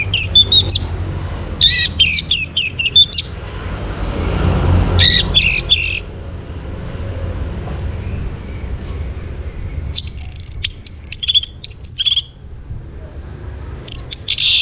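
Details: Orange-headed thrush (Geokichla citrina) song in the morning in Singaraja, North Bali: bursts of rich, varied high phrases with short gaps between, over a low rumble of traffic.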